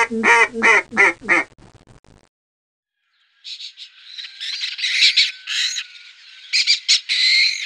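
A duck gives four quick, nasal quacks in a row. After a pause comes a burst of harsher, higher squawking notes.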